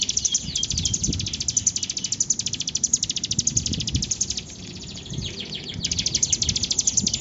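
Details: Bar-winged prinia singing actively: long, rapid strings of sharp, high, tightly repeated notes, with a brief dip near the middle before the fast chattering resumes, over low rumbling background noise.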